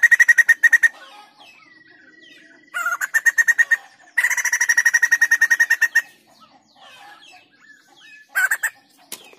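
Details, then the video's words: Energetic song of a white-crested laughingthrush: three bursts of fast, harsh, pulsed cackling separated by quiet gaps, with a long thin steady whistle between the first two bursts and a short final burst. "POKSAY JAMBUL PUTIH GACOR MANTAP"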